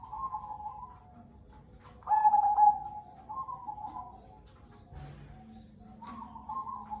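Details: Local Zebra dove of the Cemani Kolbuntet type in full song, used to prompt other birds: one strong purring coo phrase mid-clip, framed by quieter soft coos, with a low steady hum beneath.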